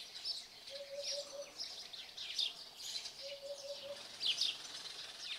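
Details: A Eurasian hoopoe at Radiquero, Aragon, gives soft, low hollow 'oop-oop-oop' triplets about every two and a half seconds beneath busy high chirping from other small birds.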